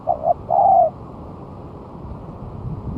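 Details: Spotted dove singing one month after moulting, used as a lure: two short coos, then a longer coo that falls slightly in pitch, heard once over quiet low background hum.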